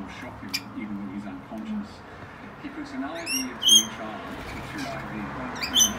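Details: Wild rainbow lorikeets squabbling while feeding on a balcony in the morning: sharp, high, ringing chirps with upward-sweeping notes sound in short clusters, while a person speaks softly throughout.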